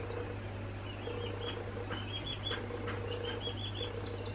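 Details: Northern bobwhite chicks two weeks old give a busy stream of thin, high peeps and short whistled notes, overlapping and irregular, above a constant low mechanical hum.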